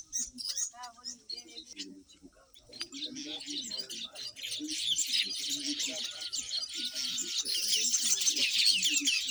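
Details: Black-winged weavers, male and female, building nests on a homestead after mating season, tearing sugarcane leaves: busy, high chattering and sizzling chirps growing denser and louder, a man talking quietly underneath at first.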